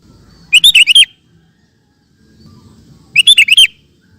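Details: Two matching phrases of a vigorous sooty-headed bulbul, kept for training cage birds, each a quick run of five bubbly, warbling whistles, spaced about two and a half seconds apart over a faint low hum.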